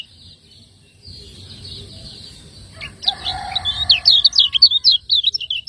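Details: Lemon-bellied white-eye, a Lombok cage bird, in ciak ngejos master song for training. A softer lower tone and faint notes lead into a dense burst of high, chattering chirps near the end.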